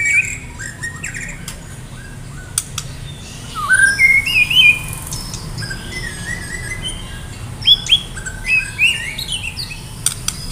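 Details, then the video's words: Medan White-rumped shama kept in a cage and singing fully before a contest, producing scattered bright whistled slurs and short rising notes separated by pauses, with faint clicks and low hum. "murai batu medan gacor siap ikut lomba || murai batu gacor full isian"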